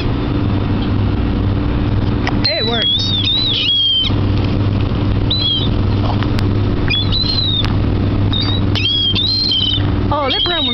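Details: Seagulls crowding a dock beside the water while being fed give loud wavering mews and quick downslurred squeals in bursts, several birds calling at once, above a constant low droning background.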